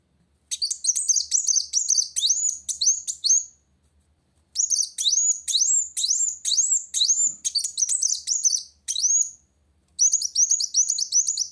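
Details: Kolibri wulung sunbird singing vigorously to challenge a rival: rapid bursts of high, thin chirps and upswept whistled notes in dense phrases, broken by short pauses.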